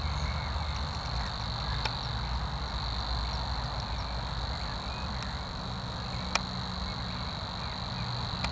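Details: A Savi's warbler in reeds at Zakole Wawerskie on 12 April 2023 reels without a break: a fast, even, insect-like buzzing trill held at one high pitch, over a low rumble of distant traffic.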